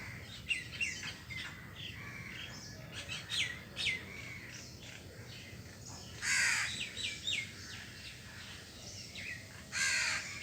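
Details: A crow feeding on cooked food and grains gives two loud, rasping caws several seconds apart, while small birds chirp busily throughout over a low background hum.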